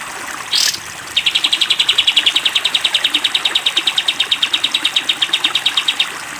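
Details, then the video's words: Sooty-headed bulbul training recording for cage birds: one short upward-sweeping chirp, then a long five-second 'tembak panjang' run of rapid, evenly repeated piercing notes, with steady hiss throughout. "masteran kapas tembak panjang"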